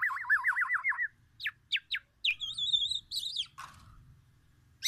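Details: Black-naped oriole, an Aceh or Sumatran bird singing frequently, delivering song packed with oriental magpie-robin imitations: a rapid warbled trill near one to two kilohertz, then sharp downslurred notes, wavering high whistles and a harsh burst.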